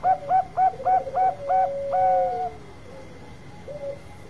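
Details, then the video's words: Zebra dove of the Bangkok kind, its long call used to provoke other birds: six quick punchy notes, then an extended coo sliding down at the end, with a faint closing note after a pause. "Perkutut Bangkok Suara Panjang Cocok Buat Pancingan"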